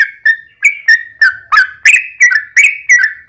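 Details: Sooty-headed bulbul song used as a lure to draw answers from other bulbuls: rapid series of bubbly whistled notes near two kilohertz, each with a short sharp attack, roughly three per second.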